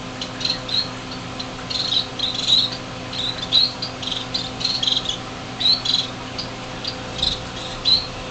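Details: Six baby finches on their first day out of the nest, in a greenhouse in January 2007, able to fly a little: short high chirps come irregularly in quick bursts over a steady low hum.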